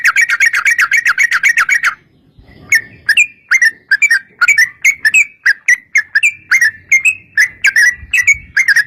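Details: Yellow-vented bulbul in lively 'ropel panjang' song, played to lure other bulbuls into answering: a fast chattering run, then evenly spaced clear whistled notes, some rising or falling slightly, repeated about twice a second.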